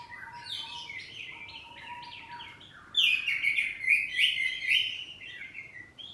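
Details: Home-kept kacer poci oriental magpie-robin singing ngeplong saut-sautan: a rapid run of varied chirps and whistles, swelling after three seconds into a loud, fast, rich warbling phrase of rising and falling notes.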